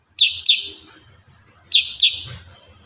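Kurincang giving sharp, high, slightly falling chirps in quick pairs, two doublets about 1.5 seconds apart, over a faint low background hum.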